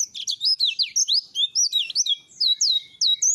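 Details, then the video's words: White-eye song used as training material: a continuous run of high, twisting whistled phrases, rising and falling quickly, delivered in short clustered bursts. "Pleci materi Langa Lingi"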